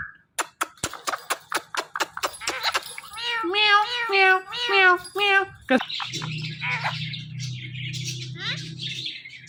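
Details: Pet talking parrot: a run of rapid clicks, then a quick series of wavering, meow-like harmonic syllables, ending in harsher screechy notes over a low background hum.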